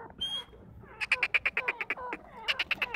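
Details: Grey francolin, known as dakhni teetar, giving a fast series of sharp, clipped notes, roughly eight per second, pausing briefly before another run, after a thin whistle at the start.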